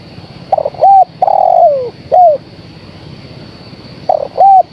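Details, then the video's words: Female spotted dove calling the male: soft cooing phrases of two short notes followed by a longer, level coo that slides downward at its end, the pattern starting again near the close, over a faint steady high hum. "Suara Tekukur Betina Gacor Memanggil Sang Jantan"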